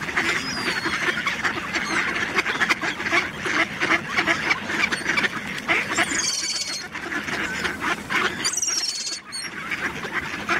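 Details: At Töölönlahti bay on 18 December 2021, a busy flock of mallards quacks and chatters without pause, many harsh, nasal calls overlapping, with a few brief high squeals rising above the din.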